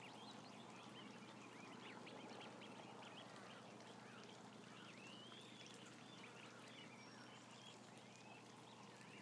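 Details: Large flock of some thousand ducklings, with many faint, sliding high peeps overlapping in a busy, uneven stream over heavy steady noise and a low hum.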